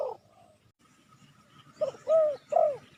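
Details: Spotted dove lure call used to attract wild doves: after a faint opening note and a quiet gap, three low, arched, hollow coos follow in quick succession near the end.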